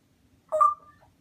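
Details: After a person says "Okay, Google", a pet parrot mimics the Google assistant sound: a single clear, tonal two-note chime lasting about a quarter second, in a quiet indoor room.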